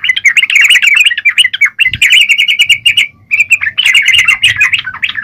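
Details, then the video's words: Yellow-vented bulbul in vigorous 'gacor' song: almost unbroken chattering of quick warbled notes, briefly interrupted near the middle, with a soft low knock early on. "Burung trucukan gacor..!!"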